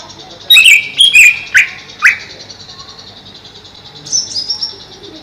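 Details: Cage-kept greater green leafbird over a pond: four loud, rich whistled notes in fast succession, each sliding downward, followed by softer high twittering; faint background hiss.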